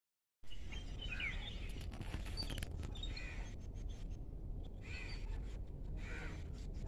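Jungle babblers give harsh, squeaky chattering calls in short bursts every second or two over a steady low rumble of background noise.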